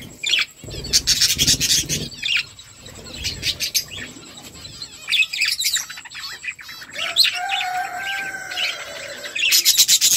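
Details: Flock of budgerigars while eating: dense, overlapping high chirps and short twittering notes in bursts, with a thin steady whine running through the background and a few lower, drawn-out whistled notes near the end.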